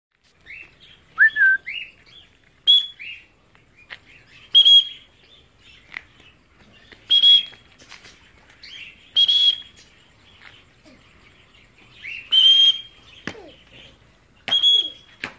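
A cockatiel gives bright whistled chirps, repeated every two seconds or so, some with a harsh edge.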